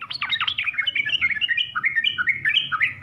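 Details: Yellow-vented bulbul song in the full, varied style, used to prompt beginner birds to answer: quick sequence of bright warbled notes, rising and falling, separate phrases running across three seconds, soft low hum underneath.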